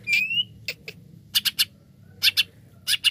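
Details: Greater green leafbird lure song: a drawn-out rising whistle followed by spaced harsh chattering notes in pairs and threes, with a low background hum.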